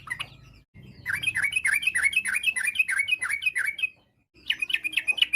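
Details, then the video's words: Constantly singing Yellow-vented bulbul, a song said to set other bulbuls answering: a brief note, then a long fast train of looping downslurred chirps for about three seconds, a gap, and another quick burst. "trucuk gacor, bikin trucuk lain nyaut seketika.! trucuk ropel, trucuk nggaruda, kicau trucuk fariasi"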